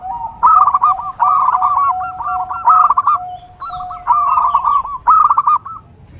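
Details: Zebra dove, called perkutut, in song for training and luring: dense, bubbling trilled coos in several phrases, layered over a steady lower note.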